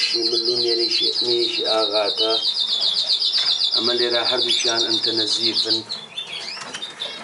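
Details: Melanin canary delivering a long, even, rapidly pulsed high trill for about six seconds before breaking off into scattered chirps. Low humming harmonic sounds, like a voice, run under much of the song.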